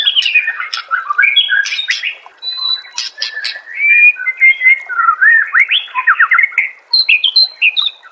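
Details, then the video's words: White-rumped shama master song for training songbirds: a continuous torrent of loud fluty whistles, rising and falling slurs and rapid chattering notes with harsh high bursts mixed in. "Masteran murai AMPUH"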